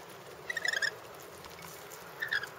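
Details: Rainbow lorikeets in a backyard give two brief bursts of harsh, screechy chattering notes about two seconds apart, over a soft background hiss.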